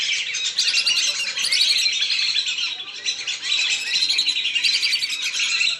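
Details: Lesser whistling ducks, recorded as lure sound to bring them down: a continuous, busy chorus of high twittering whistles that swells and eases in waves, with a short lull in the middle.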